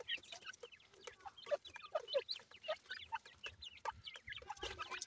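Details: Grey francolin chicks in captivity being fed insects by a female; soft, scattered short peeps and chirps, several clear mid-pitched notes repeated about every half second over low background noise.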